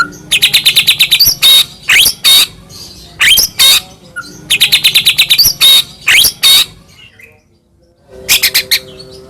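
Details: White-rumped shama singing continuously, Medan type with full fill-ins, to stir other shamas into song: fast rattling trills of sharp notes alternating with single slurred chirps, a short pause, then another rattle.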